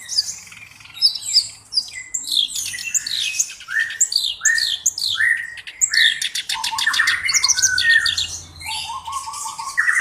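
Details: Black-browed reed warbler singing continuously, a kind kept as a tutor bird with a distinctive voice: a rapid, varied jumble of harsh chattering, squeaky whistles and dry buzzy rattles that jumps between high and lower notes without pause.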